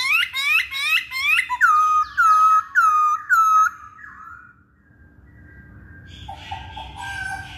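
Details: Masked laughingthrush song used as a lure to get males singing: a run of loud, rising whistled notes, about three every second. The whistles fade to quiet, then harsher, buzzy notes follow near the end.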